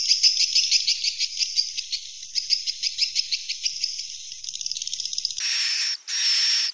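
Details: Swiftlets giving a roosting call: a high chirping twitter in quick pulses that speeds into a fast rattle, then two longer buzzy, noisy bursts near the end.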